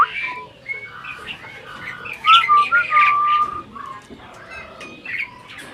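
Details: Breeding adult Asian pied starling that seems to be talking, with a varied run of clear whistles and chirps, a sliding whistled phrase near the middle, and short harsh notes between them.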